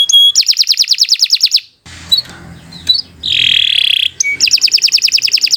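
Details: Canary singing as a training model for other canaries: rapid high rolling trill, a break with scattered chirps and a harsh buzzy burst, then the fast trill returns.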